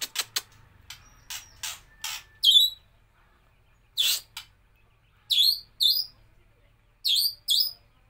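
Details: White-rumped shama in 'nembak kapas tembak' song: dry clicking notes, then high, thin, sharply downslurred chirps repeated in pairs with short gaps between them.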